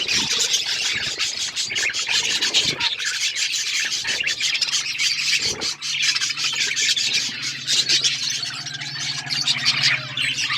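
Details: Many budgerigars kept in an outdoor aviary chattering together, a dense continuous wash of high warbling chirps and squawks with no pauses, plus a low steady hum underneath.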